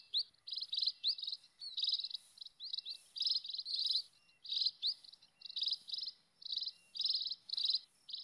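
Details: A flock of wild scaly-breasted munias keeps up a dense, high chatter of thin, squeaky chirps. Short bursts overlap almost without pause, with no other sounds.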